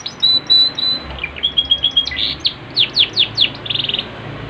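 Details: Yorkshire canary in energetic song: long steady high whistles, then a run of sharp downslurred notes spaced about a third of a second apart, ending in a quick trill. A faint low hum underneath.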